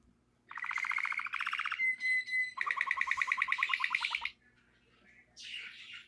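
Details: Canary in natural song, fast rattling trills of repeated notes broken by a clear steady whistle, then a long rolling trill that stops abruptly, followed by a brief faint phrase; low background hum.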